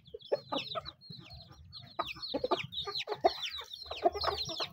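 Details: Chickens eating: irregular bursts of thin, falling peeps roughly every second, interspersed with sharp pecks and low clucking.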